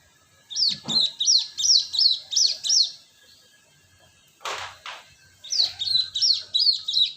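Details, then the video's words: Lure recording of a cinereous tit: a steady series of six or seven high, ringing two-part whistled notes at about three per second, a pause with a couple of knocking thumps, then a similar quick string of notes. "Pancingan Suara pikat Burung gelatik batu"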